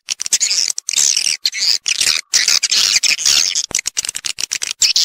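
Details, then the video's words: High swiftlet chatter from a stereo calling and roosting lure track: busy, hissing twitters broken by short silences, shrill and dense throughout. "suara walet panggil + inap stereo"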